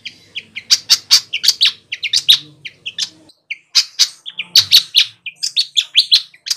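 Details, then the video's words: Flycatcher song for luring birds in the wild: dense, energetic series of sharp chirps and high whistles repeated several times a second, with one brief break midway. "suara burung sikatan gacor cocok untuk mikat di alam liar"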